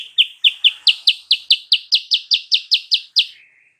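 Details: Sooty-headed bulbul lure to provoke a rival into answering: an even series of around fifteen sharp, bright notes repeated quickly, ending with a softer, lower trailing note.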